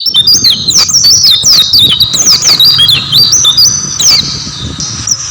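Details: Oriental white-eye in full, lively song: a loud, fast, continuous stream of high, sweet warbled and twittering notes, rising and falling rapidly with little pause, over a low background rumble.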